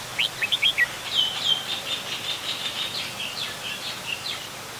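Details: Adult Red-whiskered Bulbul in Ubon Ratchathani, Thailand, recorded 16 December 2020: a quick run of short, bright chirped notes, then a jumble of sliding whistles and twittering that fades toward the end.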